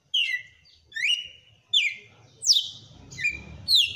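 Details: Red-cowled cardinal belting its strong açoite song, a bird kept by a breeder: loud clear whistled notes sliding down, then holding briefly, repeated about every 0.7 seconds, with faint low room rumble.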